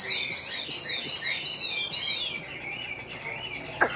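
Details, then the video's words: Caged Chinese hwamei giving a high, rolling series of looping whistled notes, wavering up and down and gradually softening, ending with a single sharp click. "Họa Mi Tam Hoàng - Hót Cao Cầu"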